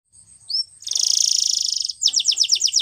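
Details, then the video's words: Canary singing a training song; a short rising whistle, then a fast buzzy trill held for about a second, followed by a rapid series of sharp repeated downslurred notes. "Canary Bird Singing | The Best Canary Training Song"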